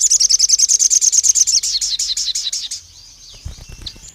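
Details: Agitated Pied fantail in a long rapid song burst: around twenty high chirped notes in quick succession, the series gradually slowing and sliding downward before stopping, with a few faint notes and low rumbling afterward.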